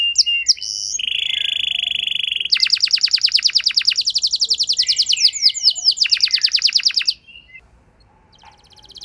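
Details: Canary lure song for prompting a quiet canary into extended singing: sharp chips, a steady lower buzzy roll, then a long fast run of high sweeping notes, ending in near silence with a faint high rattle.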